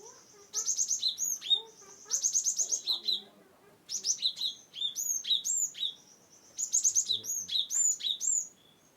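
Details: Gelatik batu, the cinereous tit, from Wonosobo, used to encourage silent birds to sing: long runs of fast high chips and downward-hooked whistles, repeated in bursts every second or two.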